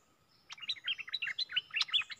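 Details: Streak-eared bulbul giving a lure call for bird trapping: a quick run of bright, chattering notes that jump up and down in pitch, packed tightly for about a second and a half after a short quiet start.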